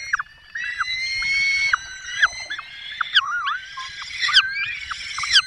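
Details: At a Barycz Valley nest in Poland, 5 May 2022, a male Peregrine falcon brings a small bird and the female feeds the chicks: a long wailing harmonic note followed by shorter, rising and falling squealing calls.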